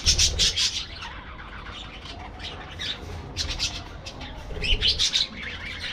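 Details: Raucous parakeet squawks open loudly, fade to softer chattering chirps, then return in a strong burst, recorded among aviary birds.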